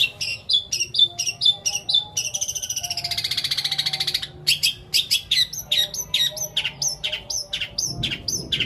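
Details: Long-tailed shrike, a captive bird, singing a long mimicked medley: sharp repeated chirps, a sustained buzzy trill in the middle, then rapid varied whistled notes, clear and loud throughout.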